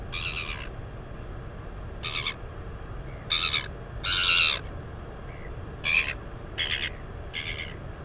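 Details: A 218-day-old female northern royal albatross chick at its nest area, squealing while exercising its wings. Seven short, harsh, broadband squeals come in irregular bursts over eight seconds, some louder than others, above a steady wind rumble.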